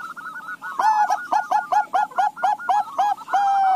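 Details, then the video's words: Zebra doves, a Bangkok-local crossbred line, all answering one another: loud, staccato cooing notes with a rolling trill, repeated roughly every quarter second in a steady rhythm, over a faint low background hum. "Perkutut BANGKOK LOKAL CROSING NYAHUT SEMUA"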